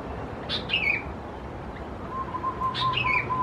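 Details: Young Sooty-headed Bulbuls, subspecies thais, at a home in Khao Yoi, Phetchaburi, Thailand, in June 2020: two paired calls, each a short rising note then a falling slurred whistle, with a faint steady tone and background hiss.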